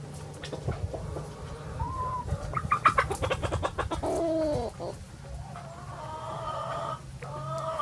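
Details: Free-ranging chickens of many breeds on a farm on a sunny day, giving quick clucks and a few drawn-out tonal notes, several birds calling at once over a steady low hum.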